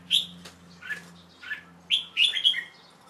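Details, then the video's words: A young male red-whiskered bulbul sings short, bright, bubbly chirps in uneven bursts of about six notes over three seconds, over a faint electrical hum. Recorded late afternoon on 1 January 2012, after a bath, while covered to rest. "Jambul (Audio)"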